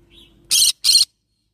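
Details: Two loud, raspy squawks from a yellow-sided green-cheek conure, back to back and roughly equal in length, preceded by a faint thin squeak and a low background hum.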